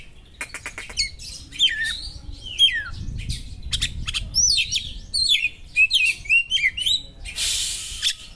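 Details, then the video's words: Mimicking Oriental magpie-robin pouring out sharp small-bird material to arouse a rival: quick ticks, then many short twisting whistles and chips in a busy run, closing with a broad hissing rush, low rumble beneath. "suara burung kacer materi tajam burung2 kecil,mengungah emosi kacer"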